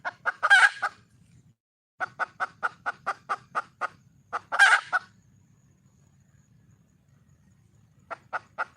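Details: Red junglefowl hen calling out for a mate: harsh squawk followed by a steady train of about eight short clucks, another loud squawk, a long quiet stretch, then clucking resumes; low background rumble.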